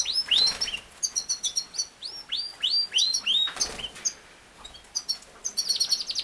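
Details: Yorkshire canary, also called king size canary, singing a series of rising-then-falling whistled notes about three per second, interspersed with short high trills and clicks.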